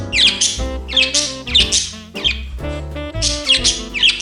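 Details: Budgerigar singing to a holiday carol around New Year 2021, with about seven evenly spaced bursts of shrill, rasping warble in four seconds, layered over a choir-like song with piano.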